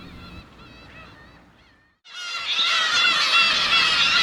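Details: Black-tailed Gulls, a natural monument on Ulleungdo, where flocks gather over fish and guide fishermen; faint mewing, cat-like cries at first, then after a brief silence a loud dense chorus of overlapping wavering, nasal calls from many birds.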